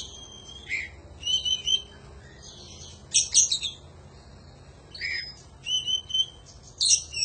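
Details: Kacer, or Oriental magpie-robin, in panjingan-style 'gacor' song used as a training recording: clear whistled phrases mixed with harsh raspy bursts, arriving in clusters every second or two.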